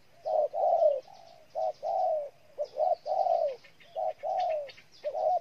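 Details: Spotted dove, Ninh Thuận province, Vietnam, cooing continuously: clipped introductory notes then prolonged warm coos, phrases running close together, with scattered high-pitched twitters from other birds.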